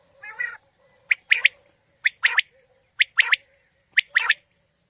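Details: A quail calls in a lure recording for morning hunting: a short liquid note followed by a quick two-part, whistled phrase, repeated about every second, with a faint steady hum underneath.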